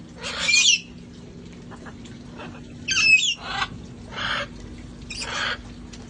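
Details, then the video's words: Parrots in a rescue flock enjoying life outdoors before cold weather; a pattern of harsh squawks roughly every second or so, some carrying a thin whistled edge, with a low hum underneath. "sounds of parrots having fun outside"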